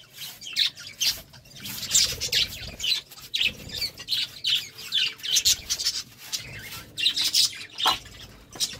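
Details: Budgerigars at courtship time give lively chattering warble in short bursts of grating chirps and squeaks, separated by brief gaps.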